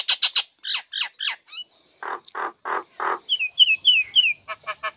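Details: A female Nias hill myna, singing as soon as its cage cover is lifted, gives a loud, varied medley of sharp high chips in quick threes, hoarse low squawks and bright rising whistles, used as a lure to prompt quiet birds.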